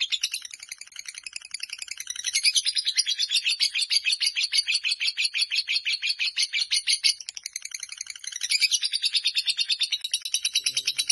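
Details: Long chattering song of a fighter lovebird: continuous shrill rattle of rapid repeated notes, dipping briefly in volume near the middle before resuming strongly.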